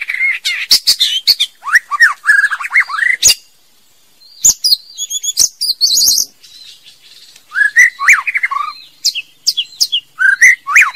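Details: Female white-rumped shama singing a rich run of fluted whistles and quick slurred notes, broken by sharp clicking pops and a short pause before the phrases resume.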